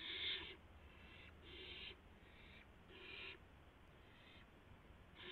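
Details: Owl bringing a mouse to its mate at the nest just after midnight, 12 April 2016: faint, harsh hissing screeches repeated roughly every one and a half seconds, each lasting about half a second, over a quiet low hum.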